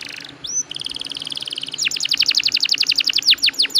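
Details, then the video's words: Atlantic canary (kenari) in long rolling song: a brief whistle and a high buzzy trill, followed by a quick series of loud downward-slurred notes repeated several times a second. "KENARI GACOR NGEROLL PANJANG"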